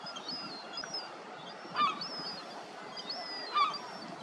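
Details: A juvenile lesser black-backed gull begging while being fed gives two short, plaintive begging notes about two seconds apart over a steady wash of wind or surf, with faint higher calls behind.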